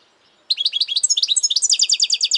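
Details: Goldfinch song in one continuous run of quick, sparkling chirps, changing partway into an even, fast trill of repeated high notes.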